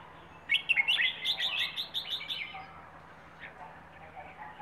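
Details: Plai ho song from a Rayong wild bird: a fast, rhythmic run of about ten bright, sharply repeated chirping notes, slowing and softening afterwards into a few faint scattered calls.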